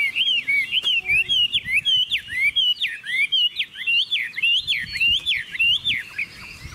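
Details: Caged Chinese hwamei, a bird sold in Vietnam and praised for fine singing, pours out loud whistled phrases of rapid up-and-down slurred notes, densely strung together with hardly a pause.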